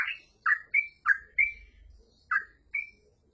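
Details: Yellow-vented bulbul in full, continuous song, giving short bubbly liquid notes in bursts, some rising into clear whistled tails, spaced about a third of a second apart with a brief pause midway.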